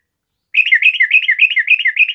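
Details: Sooty-headed bulbul, a 'garuda' type trucukan singing in full voice to set other bulbuls singing: after a silent start, a fast run of bright, bubbly whistled phrases, each rising then dipping, repeated about four times a second without pause.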